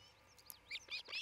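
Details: Osprey at its nest near Charlo, Montana, picked up by a nest camera on 27 June 2018 near midday: a quick run of high, sharp whistled chirps, some sliding downward, rising in loudness toward the end.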